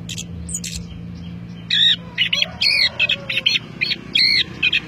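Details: Orange-headed thrush song rich in inserted phrases: after soft scattered chirps, a run of loud, harsh, buzzy notes repeated in quick succession, each slurred up and down, above a steady murmur of background noise.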